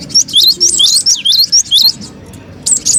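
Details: Lure call of a cinereous tit for bird trapping: a quick burst of bright, slurred rising and falling chirps packed closely together, a short pause, then more high chirps at the end.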